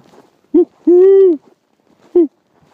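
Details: Great Horned Owl, one of a calling male and female pair answering a human caller, gives three deep, mellow hoots: a short one, a long drawn-out hoot, then another short one, over a faint background murmur.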